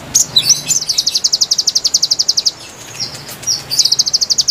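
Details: High, rapid konin chirping used to lure wild birds: a few sharp slurred notes, then long even runs of quick ticking notes, a short pause with two slurred whistles, and another fast run.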